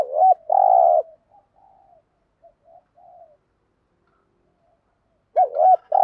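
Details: Spotted dove used as a decoy in Vietnam, calling to lure wild birds: loud looped coo and drawn-out rolling coo, a string of faint soft coos, then another loud looped coo.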